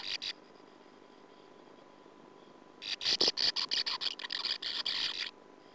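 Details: Inside a sand martin nest burrow during the 2009 season, with a persistent female usurper attacking the young: a brief harsh burst, a pause, then loud rapid grating chatter repeated for about two and a half seconds.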